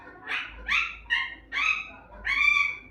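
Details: Parrot talking in Hindi: four or five loud, hoarse, high syllables in quick succession, each a short squawky word, the last drawn out slightly longer.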